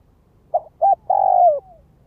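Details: Spotted dove kept as a ground lure bird, calling in the gáy gọi, thúc and kích bổi styles: two short hollow coo notes followed by one long, loud, slightly falling coo, over a quiet low background.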